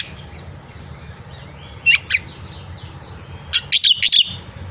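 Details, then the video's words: Morning song of a black-winged myna, used to teach young birds: two short harsh notes, then a pause and a burst of loud scratchy chattering, with soft background calls and hum. "jalak putih gacor pagi hari untuk masteran burung jalak muda - paud dan anakan agar cepat bunyi"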